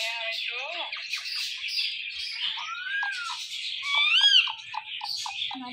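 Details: Talking pet parrot giving high chirps and short whistled notes over a steady, hissy background. Brief arched squawks repeat near the end.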